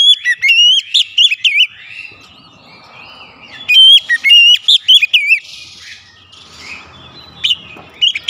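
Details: Oriental magpie-robin, called kacer, in a varied fill-in song for stimulating other birds; quick sequences of clear whistles and warbled slurs, a brief lull, then another energetic burst.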